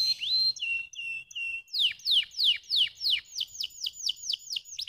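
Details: Canary song used to stimulate lazy canaries: a rising whistle, flat sustained tones, then strong falling chirps about three per second, finishing with a faster roll of high curved notes.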